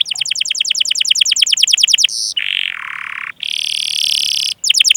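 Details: Canary song used as a training recording to lure and teach other canaries to sing: rapid trills of repeated high sweeping notes, a buzzy section, then long steady rolling trills and a return to fast repeated notes.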